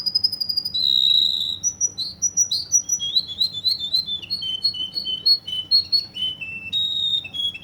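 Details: Russian canary from Kuwait in full song: a loud held whistle, then rapid runs of short bright notes repeated several times a second, dropping in pitch, ending on a rolling trill; a faint low hum underneath.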